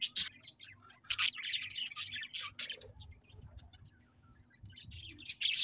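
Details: Budgerigar chirps come in loud, harsh bursts at the opening, around one to two and a half seconds, and at the end, with a quiet gap between and low rumbling in the background.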